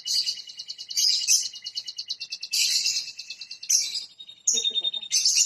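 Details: Canary singing, played to coax canaries that have stopped singing: fast buzzy trills and rolling pulsed phrases in bursts, broken by short pauses and a few sharp high notes, dense and energetic.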